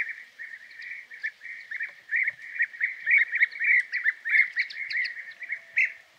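Several European bee-eaters give liquid, rolling 'prruip' calls, overlapping in a busy chatter of nearly two calls a second, with faint higher chirps behind.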